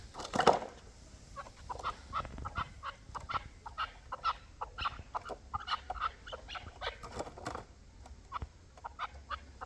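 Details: Hybrid and local chukar partridges giving steady, quiet chuck notes, evenly spaced and overlapping from several birds, after one loud sharp sound at the start.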